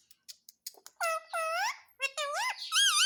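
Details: Talking pet parrot indoors: a few soft clicks, then drawn-out, harmonic, speech-like phrases that dip and rise, ending on a high wavering syllable.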